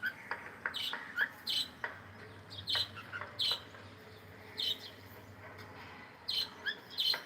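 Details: Pet cockatiel singing and chirping while playing: short bright chirps and whistled notes in scattered bursts, some doubled, with quiet room background.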